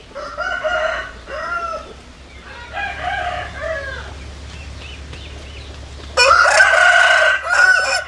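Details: Roosters crowing back and forth: moderate crows with wavering tails early on, then a loud, close, harsh cock-a-doodle-doo at the end.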